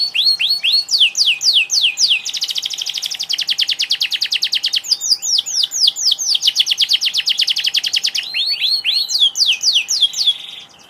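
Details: Canary in vigorous song: rising sweeps alternate with long buzzy rattles of rapid notes, phrases repeating for the whole stretch, with a soft steady hum behind.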